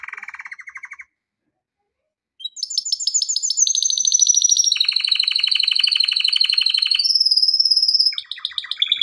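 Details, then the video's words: A male canary sings a training song. A low rolling trill is followed by a pause, then a long sequence of fast, high pulsed rolls that shift pitch step by step. A final high whistle and a lower trill close it. "آواز خواندن کنری"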